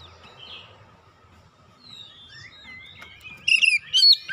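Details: Kacer, the Oriental magpie-robin, in a therapy track for a silent bird: soft, scattered whistles and twitters, then loud, bright whistled notes and a sharp downswept phrase near the end, over faint low background noise.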